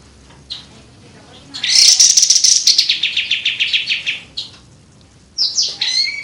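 An Olive-winged Bulbul sings a bright, rapid burst of repeated chattering notes, about four per second, followed by a short, higher whistled phrase.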